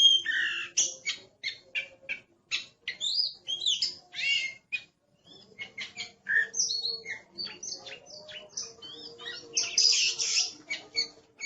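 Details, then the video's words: Oriental magpie-robin (kacer), a caged bird described as aggressive and very noisy, singing a long stream of short varied whistles, chips and buzzy notes in quick separate bursts, with a faint low hum beneath. "Suara Master Burung Kacer Galak || Wow Berisik Amat"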